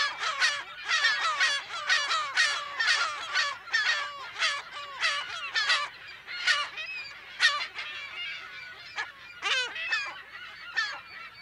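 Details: California gulls in a colony give loud, strident yelping calls in clustered bursts, each note sharp and harmonic with a falling tail. Later the calls thin out into scattered squawks. Recorded in mono, close to mid range.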